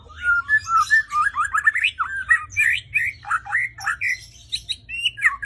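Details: Murai batu (White-rumped shama) in competition-ready form: a continuous, richly varied song of rapid whistled slurs, rising and falling notes and harsh chattering bursts, delivered in quick back-to-back phrases over a low background hum.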